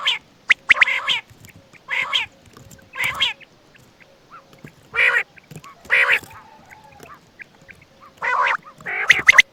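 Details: Quail (batair) near Attock at night uttering harsh, buzzy nasal bursts roughly every second, mixed with faint chips and a soft low hum.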